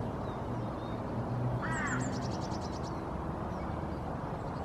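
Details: Female Hooded Crow (Corvus corone cornix) sitting in the nest and calling repeatedly, giving the soft nest song. One short, throaty, harmonic call rises and falls midway over steady background hiss, with a quick series of high, thin chirps from another small bird.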